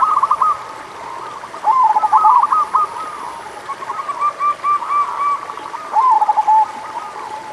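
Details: Zebra dove, local type, singing as a lure for reluctant doves: repeated phrases of quick stuttering coos with softer overlapping cooing between them, the louder runs recurring about every two seconds against a light hiss.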